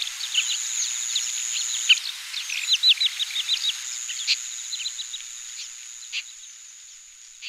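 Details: Oriental pratincoles (Glareola maldivarum) in Taiwan, where they breed as summer visitors, on 20 April 2016, give a busy chatter of short, sharp, tern-like chirps in quick bursts over a steady high insect whine.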